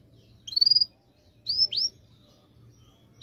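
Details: Canary song used to prompt silent canaries to sing: two short bursts of high whistled notes, a quick trill then two upward-swept chirps, separated by silence.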